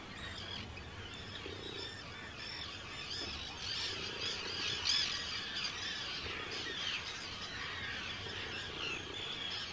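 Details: Hundreds of Arctic terns at a breeding colony, Rottumerplaat, Netherlands, 4 June 2023; a dense, continuous chorus of shrill, squealing calls with one louder call at mid-point.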